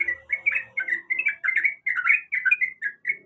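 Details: Sooty-headed bulbul hen calling a male while in breeding condition: a brief run of fluty, slurred chirps tumbling up and down, with a soft low hum at the start.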